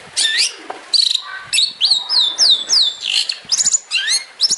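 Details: Long-tailed shrike giving a 'tembakan' song for training other songbirds: a quick series of clear, high falling whistles and squeaky slurred notes, closely spaced, ending in a jumble of sharp chips.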